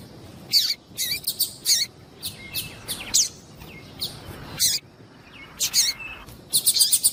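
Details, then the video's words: Female double-collared seedeater piado meant to heat up a male for song: irregular high, buzzy chirps in pairs and triplets, ending in a fast trilled burst, with faint thin whistles between. "MELHOR PIADO DE FÊMEA DE PAPA CAPIM PARA DEIXAR SEU PAPA CAPIM DOIDO PARA CANTAR LOGO"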